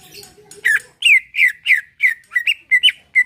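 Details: Greater green leafbird song in a relaxed style, used to prompt a caged bird to sing: a run of about nine short, harsh, slightly buzzy chirps at even mid pitch, about three per second, after a faint low murmur at the start.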